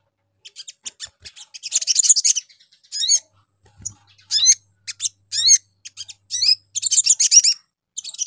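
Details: A sunbird gives very high, sharp chips, quick downslurred whistles and short buzzy trills in uneven bursts, with brief pauses between phrases; a lure recording meant to make other sunbirds respond.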